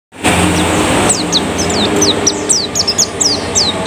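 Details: A canary, currently moulting, sings dominant canary-style bursts: a fast series of sharp, high, swooping notes, about four or five a second, over a steady low rushing background noise.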